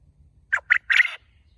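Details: Caged farm quail giving a loud call: two quick, sharp notes followed by a longer, harsher third note, the whole phrase lasting under a second, against a quiet low hum.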